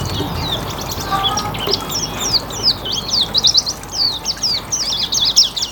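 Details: Hume's white-eye giving riwikan-style song, used as a lure for other birds: a rapid, unbroken run of thin, high twittering chirps with quick sweeping notes over a steady hiss and faint low rumble.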